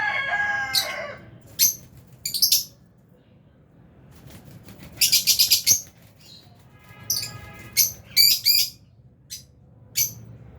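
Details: Aviary colony of albino and Fisher's lovebirds: sharp high chirps in scattered clusters, a harsh rasping call at the start and another midway, with wing flapping among them.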